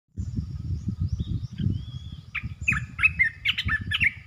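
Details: Asian red-eyed bulbul, a resident territory holder calling: after about two seconds of low rumbling background noise, a run of short, bright, chirpy notes sounds in quick succession, each a burst of clipped, warbling syllables.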